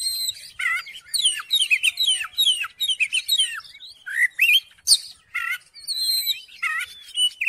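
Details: Oriental magpie-robin singing, used to coax a quiet magpie-robin into song; rapid sequences of slurred whistles and chips, several buzzy notes, and a sharp click near the middle.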